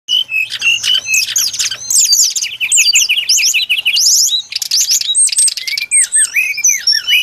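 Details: Brown-chested jungle flycatcher song recorded as a trapping lure: dense run of high, thin whistled and sharply slurred notes, some rising and some falling, in quick bursts with brief gaps, near-continuous throughout.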